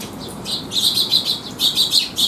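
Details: Sparrows coming to be fed at a rest area on a rainy day, 3 September 2021: a dense flurry of high, sharp chirps overlapping one another in quick succession, growing busier toward the end.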